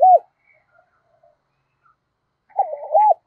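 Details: Caged lure spotted dove in the thổ voice: a short low coo at the start, a quiet gap with faint distant calls, then a cooing phrase of stuttered notes and a drawn-out coo, cut off at the end.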